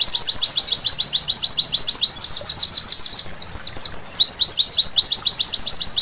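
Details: High, rapid twittering from a white-eye (pleci) at night, played for bird training: rhythmic run of sharp downward chirps, nearly four per second, with a short jumbled break midway.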